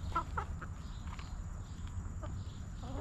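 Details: Backyard chickens relaxing in their coop; a couple of short clucks at the start, then sparse quiet clucking over a low continuous hum.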